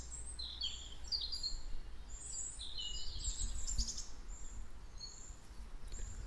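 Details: Several birds sing around the Martinskirche hill in Hannover-Linden, Germany, on Pentecost Sunday morning, 31 May 2020, near 10:30. Bright, high chirps and quick trilled notes overlap, then thin out, over a low rumbling hum. Recorded with a handheld recorder.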